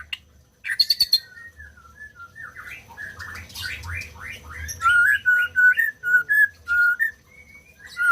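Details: Song of a white-rumped shama, meant to get birds that have stopped singing going again. A sharp squawk opens, then a rapid descending series of notes, then steady clear whistles repeated about twice a second.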